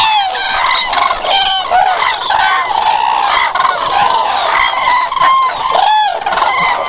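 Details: Common cranes calling loudly in a dense chorus, many overlapping trumpeting, rolling calls with rich harmonics sounding at once, rising and falling continuously with no pauses over the whole stretch.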